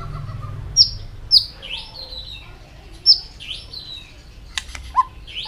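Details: Training song of a white-rumped shama, aimed at sparking fast multi-voiced singing: scattered sharp high whistled notes sliding downward, a few clicks and a low whistle, spaced irregularly over quiet background noise.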